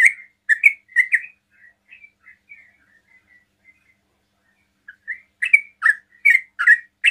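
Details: Sooty-headed bulbul singing its quick 'ropel' song to provoke other bulbuls into answering; a loud burst of chirps fades into soft, faint twitters, then the rapid bright notes return strongly.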